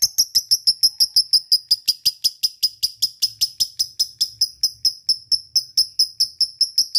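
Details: Lovebird giving a steady ngekek to stimulate quiet lovebirds: evenly spaced sharp high clicking notes, roughly five per second, keeping a constant pitch throughout.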